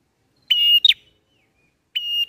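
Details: Bar-winged prinia drawn-out lure song for bird catching: a sustained flat whistled note ending in two brisk clipped notes, heard twice against a quiet background.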